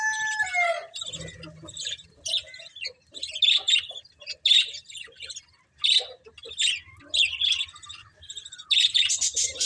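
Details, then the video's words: Pet budgerigars open with a falling whistled note, then break into irregular bursts of sharp, high chirps and scratchy chatter. "Cute Budgies Chirping Sounds"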